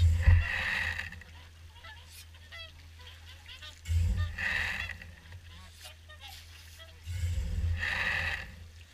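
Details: Many swans calling during an evening feed at Caerlaverock, repeated nasal honks and rising bugled notes in a busy chorus, interrupted by three bursts of wind rumble.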